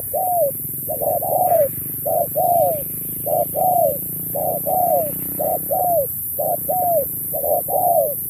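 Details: Contest spotted dove in 'Thúc kèm Bo' style song: evenly spaced phrases of a short note followed by a falling coo, about one per second, with a constant high-pitched hiss behind.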